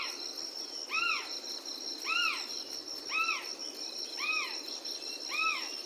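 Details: Morning calls of a Hodgson's frogmouth: five arched, up-and-down slurred notes repeated roughly once a second at an even pace, with a constant high-pitched insect hum in the background.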